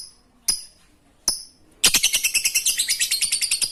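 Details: Lovebird in chattering ngekek song, played to prompt reluctant lovebirds to sing: two sharp isolated high notes, then a rapid unbroken run of harsh, ringing chirps repeated about three times a second.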